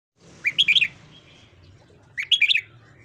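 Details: Red-whiskered bulbul morning song, used for voice training: two bright, rapid bursts of four or five warbled whistled notes, rising and falling between high pitches, about one and a half seconds apart, over a quiet low hum.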